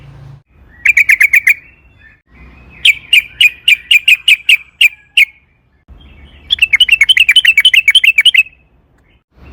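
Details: Sooty-headed bulbul, lure recording of the long 'ropel panjang' roll to draw bulbuls into song; three bursts of rapid chirps, the middle one slower and spaced, the last a fast bubbly trill.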